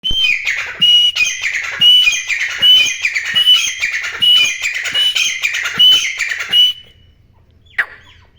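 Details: Wild grey francolin calling: loud, harsh repeated phrases with a shrill whistled note near the top, about one phrase a second for nearly seven seconds, then quiet with one faint note.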